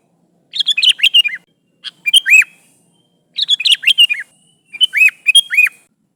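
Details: Sooty-headed bulbul calling its companions, a lively lure recording. Longer chattering phrases mix quick bubbly notes with clear downslurred whistles. Four bursts separated by short pauses against a silent background.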